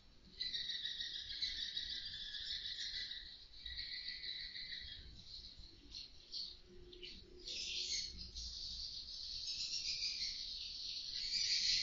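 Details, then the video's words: Many swiftlets inside a two-storey swiftlet house, recorded on an indoor CCTV, chattering together in a dense, high, buzzy twitter of overlapping rapid chirps and trills that swell and fade without a break. "dengarkan suara asli walet lg ngobrol"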